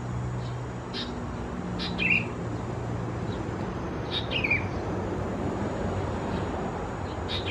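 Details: Sooty-headed Bulbul chicks at Khao Yoi, Phetchaburi, Thailand, in June; two soft raspy falling chirps, several seconds apart, partly buried under low humming background noise.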